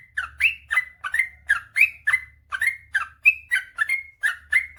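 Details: Male sooty-headed bulbul in long, rapid 'gacor ropel panjang' song, used as a master recording to stir lazy birds into singing: bubbly, slurred whistled notes tumbling out about three per second, some rising, over a faint low hum.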